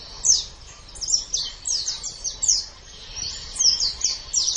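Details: White-eye, known locally as pleci, in a training master song: bursts of rapid high twittering and sharp down-slurred notes in quick clusters, separated by short pauses, with light background hiss.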